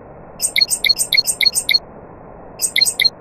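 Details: Singing nightingale, with other birds present: a rapid chattering phrase of high stacked notes repeated five times in quick succession, a brief pause, then the same phrase starting again, with a constant soft hiss behind.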